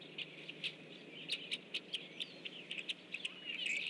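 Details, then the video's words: Group of rusty blackbirds arriving in flight on the morning of 17 October 2013; dense run of clipped, hard chack notes roughly every quarter second, overlapping callers, with a brief thin whistle near the end against faint background noise. "FLY IN BY A GROUP OF RUSTY GRACKLES"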